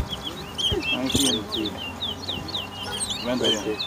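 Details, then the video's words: Towa towa (chestnut-bellied seed finch) in a bird race at a Georgetown, Guyana bird ground on Lamaha Street, 2023; a series of clear, down-slurred whistles repeated steadily, mixed with talking and a couple of sharp knocks. "TOWA TOWA BIRD RACE"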